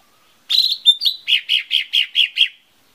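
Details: Lesser green leafbird lure song to set birds singing fast: buzzy opening notes with a thin whistle, followed by seven evenly repeated, slurred notes.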